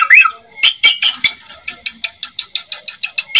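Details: A white-rumped shama sings a lure song full of fill phrases to draw replies from other shamas. After a brief warbled phrase, a steady series of sharp, evenly spaced chips repeats about four times a second.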